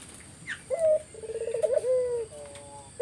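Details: Lively collared dove coo played as a lure so other doves reply: a sharp opening note, a rapid rolling trill and a long level tone, followed by softer fading coos, over a constant high background hiss.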